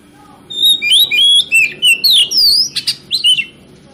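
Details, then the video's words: Magpie-robin (kacer) lure song for exciting other birds to sing: dense, rapid chain of loud varied whistles, upslurs and downslurs with harsher chirped accents, delivered in quick bursts. "PANCINGAN KACER PALING AMPUH MERANGSANG KACER LAIN AGAR LANGSUNG BONGKAR ISIAN"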